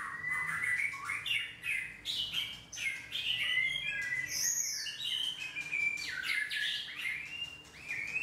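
A white-rumped shama sings a rich, varied run of clear whistles and quick chirps, phrases rising and falling between mid and high pitch, with no other sounds.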